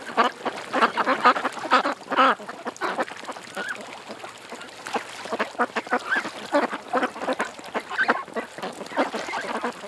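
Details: A flock of ducks by a creek quacking in loose bursts, a loud flurry at first, a quieter lull, then renewed overlapping calls.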